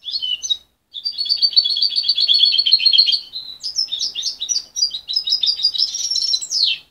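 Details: Parent-raised juvenile goldfinch cross, separated at 23 days and still confused in its song, delivers a long rattling twitter followed by quick jumbled chirps and a final downward slur.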